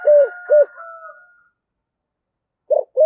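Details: Spotted dove kept as a decoy, with a 'thổ' voice style, giving two short hollow coos, then a silent gap before two more coos begin at the close.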